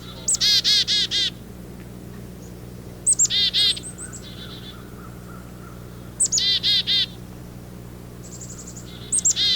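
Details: Several black-capped chickadees in spring, active in a lilac bush next to a house, give their chick-a-dee call: a few high, sharp opening notes then a run of buzzy, husky 'dee' notes, in bursts about every three seconds.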